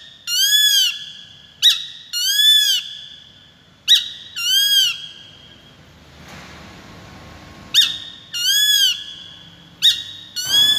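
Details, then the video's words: Peregrine falcon calling: pairs of a sharp clipped note followed by a longer, arched, harsh wailing note, repeated about every two seconds in bursts separated by a silent gap, over a thin steady high tone. "Peregrines Falcon | សម្លេងសត្វស្ទាំង"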